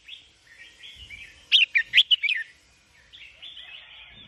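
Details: Sooty-headed bulbul: a loud burst of five quick, bright chirps in the middle, set against softer ongoing warbling chatter.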